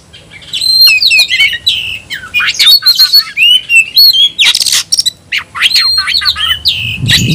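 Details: White-rumped shama (kacer), a kept songbird, calling to challenge an opponent to fight: loud, fast varied phrases of whistled slurs and harsh chattering notes, with rapid rising and falling sweeps.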